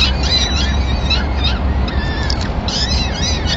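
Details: Peregrine falcon nest in Madrid, 26 April 2016, during the male's first food delivery of the day to the chicks; rapid, arching squeals overlap in quick succession above a steady low hum.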